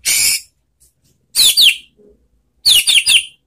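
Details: White-rumped shama singing a relaxed lure song used to coax silent or post-moult shamas into replying: a harsh noisy burst, then paired and tripled sharp high downslurred whistles.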